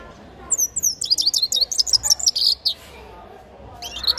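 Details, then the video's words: Young grey-crowned goldfinch, a nestling, sings a fast twittering run of high slurred notes and chirps for about two seconds, a pause, then a brief high twitter starts again at the end. "Птенец щегла пение"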